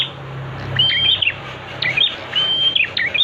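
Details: Prinia (prenjak) song used as training material for the birds: a flat, high whistled note followed by bright, tumbling chirps, repeated three times, with a faint low hum beneath.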